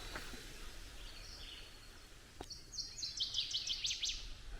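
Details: Northern Waterthrush (Parkesia noveboracensis) singing from roadside mixed forest in southeastern Ontario on May 25 around 7 a.m.: a quick run of about ten bright, ringing chips speeding up toward the end, over soft outdoor hiss and a handling click.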